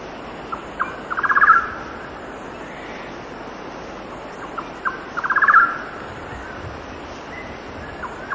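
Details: Windy mountainside at 6,000 feet with a golden-naped barbet giving two rapid trilled phrases that swell in loudness, each introduced by sparse single notes, over steady cicada and wind noise.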